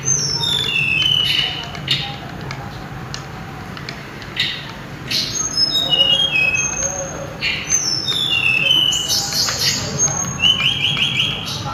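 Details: Sulingan, or mountain tledekan, giving its loud, melodious song in short bursts of high, clear whistles, some falling, over a steady low hum and scattered clicking.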